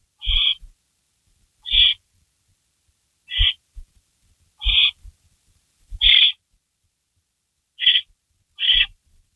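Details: Barn owl at the nest as prey arrives, a rabbit delivered at 3:53 AM on May 16 2012 and shredded at length. Seven short, harsh, high calls repeated roughly every second or so, each with a soft low knock.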